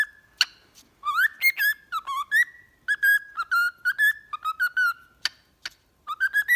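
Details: Cockatiel whistling for pet singing training: a tune of rising, wavering whistled notes in short bursts with brief pauses, opened and broken by sharp clicking chirps.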